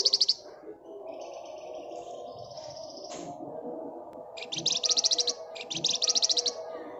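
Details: Flamboyan bird in full, dense ngebren song. A shrill high trill opens, then comes a pair of thin level whistles, then two longer, rapidly pulsed buzzy trills near the end, over a constant low droning background.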